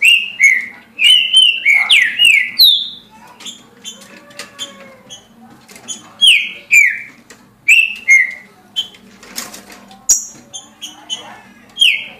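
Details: Green-winged saltator in a cage singing 17 songs a minute: repeated phrases of loud slurred whistles descending in pitch, several phrases in succession, with sharp clicks and faint chirps between them.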